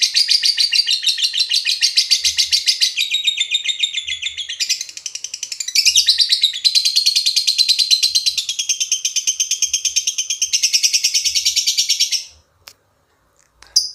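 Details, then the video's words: Lovebird ngekek chatter serving as a lure to provoke other lovebirds: about twelve seconds of nonstop rapid, piercing trilled chattering in shifting pitch sections, then sudden silence broken by a brief chirp. "Pancing love bird paud ngekek"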